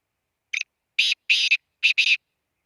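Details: Black francolin calling: a short harsh note followed by four loud, grating, buzzy bursts in quick pairs, all within about two seconds, with a silent background.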